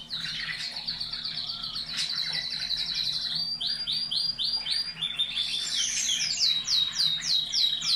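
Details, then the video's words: Breeding canaries in cages, song played as stimulation: continuous rolling trill with fast repeated notes, shifting into clearer descending sweeps near the end, loud and sustained. "شغل المقطع مرتين يوميا و شاهد الفرق في طيور الكناري"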